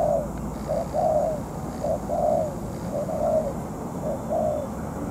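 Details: Molting spotted dove used as a ground decoy for trapping, facing a strong-spurred wild bird. Its warm, low coos fall off at each end and recur roughly every second in a steady series.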